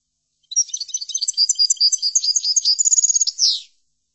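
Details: European goldfinch song for teaching other goldfinches, a three-second phrase of jangling high chirps and quick trills that closes with a descending buzzy sweep, silent before and after.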